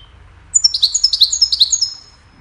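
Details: Goldfinch singing a cheerful melody meant to teach other songbirds, a brisk burst of high tinkling twitters and chirps lasting just over a second, clean with no other sounds.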